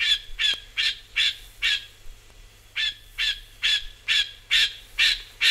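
Rufous Scrub-bird giving loud, ringing, high chipping notes, about two per second in an even run, with a brief pause midway.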